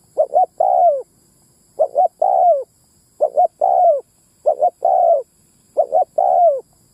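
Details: Spotted dove giving a lure call for attracting both sexes: five evenly spaced phrases of two brief notes and a long mellow coo falling at its close, repeated roughly every 1.2 seconds.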